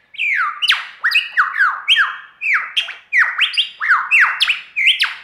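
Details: Lyrebird's mimicry performance, recorded in Australia: loud, ringing whistled notes that slide downward, each followed by a quick upward sweep, repeated rapidly in an almost continuous stream over about five seconds.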